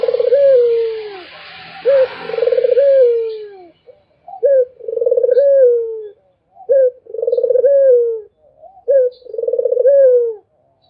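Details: Barbary dove cooing nonstop, four clear phrases spaced a little over two seconds apart. Each opens with a quick upturned note, then a long, pulsing, gently falling coo. Otherwise quiet.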